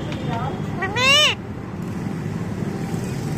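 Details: Pet parrot calling its owner to come inside through the windows: a loud, harmonic-rich, rising-then-falling squawked call about half a second long, preceded by shorter rising notes, over steady traffic and street rumble.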